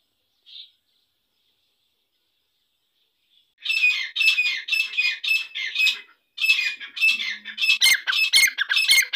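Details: Irani dakni teetar, a grey francolin, starts with one faint note, then after a pause launches into loud, rasping, repeated squawks in two long bursts, roughly two notes a second, with clean silence around them.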